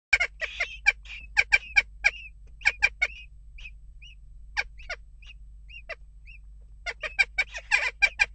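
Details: Western jackdaws calling amid unrest at a nest box: bursts of short, harsh, sharp calls in quick runs, a quieter middle stretch with a few soft higher notes, then a dense flurry of overlapping calls at the end.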